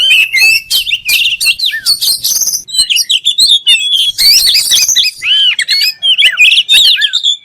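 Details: Oriental magpie-robin (kacer) singing a dense, rapid stream of varied whistles, sharp chirps and slurred rising and falling notes, with short clicks and buzzy bursts packed tightly together and no other sounds.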